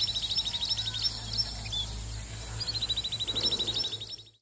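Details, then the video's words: A common babbler, a bird of open scrub country that flicks its tail while calling, gives fast, high trills of even, clipped notes in two bursts of about a second each, over a low steady hum. "call of common babbler"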